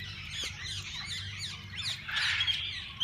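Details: Flock of different parakeets in a walk-in aviary at a parrot park; quick downward-sweeping chirps layered into a constant chatter, swelling louder in the final second, low hum beneath.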